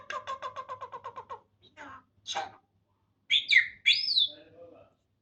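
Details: A common myna imitates Farsi speech: a quick run of about a dozen clipped, voice-like syllables, a harsh rasp, then bright whistled sweeps rising and falling.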